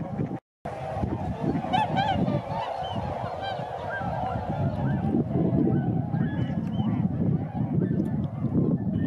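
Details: Tundra swans flying at Sakata, Japan, on 3 November 2018. A dense flock chorus of overlapping nasal, honking calls runs continuously, with a few higher bugled notes and low rumbling wind noise beneath.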